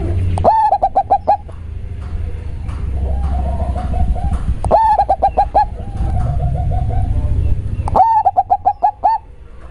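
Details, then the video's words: Local zebra dove with a very deep, bassy voice: bursts of rapid, clipped cooing notes repeat about every four seconds, with softer trilling coos between them over a low constant hum. "perkutut lokal suara matab ngebass banget"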